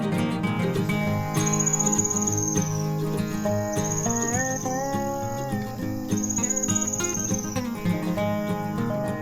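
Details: White-barred piculet song, high, sporadic and cricket-like: three high, thin trills, each about a second long and falling slightly at the end, every two seconds or so over guitar music.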